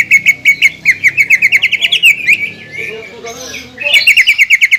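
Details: Greater green leafbird singing to provoke a recently moulted rival; fast repeated clear chirps in a steady run, a softer warbled stretch in the middle, then another quick series of sharp notes.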